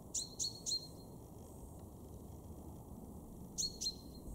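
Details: A male chaffinch in a garden in Weener, East Frisia, northwest Germany, in March 2023 gives sharp, metallic 'pink' notes: three quickly, a pause, then two more. A steady low rumble of wind or distant traffic runs underneath.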